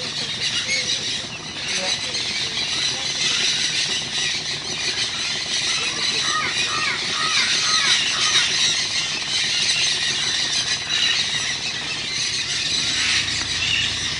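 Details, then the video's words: A dense, continuous chorus of loud, harsh, screeching macaw and parakeet calls overlaps throughout, with shrill squeals rising above a steady clamor and faint human voices in the background. "Loud macaws and parakeets"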